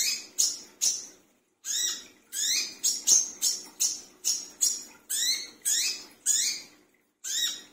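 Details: Brown-throated sunbird calling noisily at midnight, used as a lure sound to attract other sunbirds: loud sharp chirps sweeping upward, given in quick repeated bursts about two to three per second with brief pauses, in an otherwise quiet setting.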